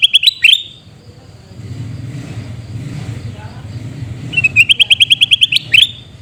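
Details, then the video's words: Loud chattering calls of a sooty-headed bulbul from Reului, Pidie, Aceh. Two bursts of rapid, liquid, repeated notes frame a quieter middle stretch of low rumbling background noise. "Suara Teriakan Burung Kutilang Emas"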